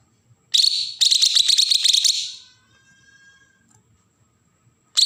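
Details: Harsh besetan rattle of a Bornean green leafbird from Kalimantan, used to excite young birds: a short burst followed by a second-long rapid buzzy trill, then quiet, with a faint thin whistle.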